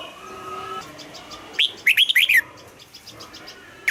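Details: Captive red-whiskered bulbul trained for morning song in a double-note style, giving one quick phrase of bright, looping whistled notes followed by a single short note, over faint background chirps.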